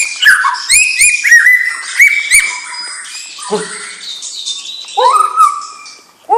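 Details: Young white-rumped shama from a champion bloodline singing a rich, varied song. Loud whistled phrases near mid pitch carry sharp high flicks and chips, and a rising, buzzy whistled motif returns toward the end.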